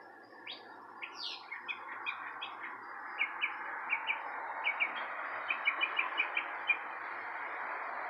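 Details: Birds chirping outside a porch: short, bright, high chirps, some upslurred, repeat irregularly and grow more frequent toward the end, over a steady broad rushing background noise.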